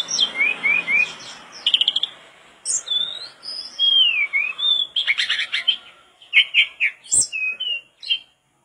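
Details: Lively mangrove blue flycatcher song of quick rising and falling whistles, scratchy trills and chirps, phrases tumbling one after another for over eight seconds before ending abruptly.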